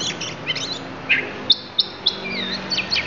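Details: Oriental magpie-robin of the Lampung variety delivering its fill phrases: scattered high whistles, sharp chips and a falling slurred note over steady background hiss.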